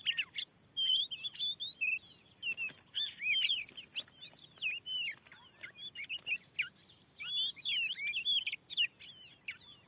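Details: A wild Oriental magpie-robin, very aggressive, answers a lure in newly cleared farmland. Bursts of varied whistles and curling chirps come in groups separated by short gaps over constant background noise.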